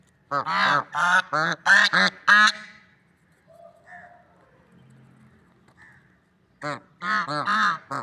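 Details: Swans described as lovebirds, outdoors, uttering a fast burst of about seven nasal honks, a quiet gap with faint softer notes, then another lively burst of honks.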